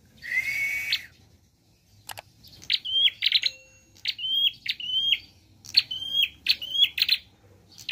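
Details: Chattering 'gacor' prinia song with varied 'nembak' bursts. A noisy opening burst gives way to a steady run of clicky notes, each ending in a short, high, flat whistle, repeated roughly every half second.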